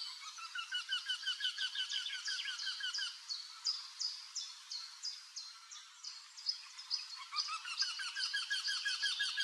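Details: Courting male wryneck, Drenthe, 29 April 2024, calling from an old woodpecker hole to tempt a female to the nest. Two bursts of rapid, evenly repeated nasal notes are broken by different high chirping notes in between.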